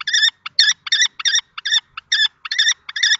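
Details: Common kestrel males, young and adult, disputing a nest box at Théding on 20 March 2024; loud, evenly spaced grating notes, a little over two per second, clean background.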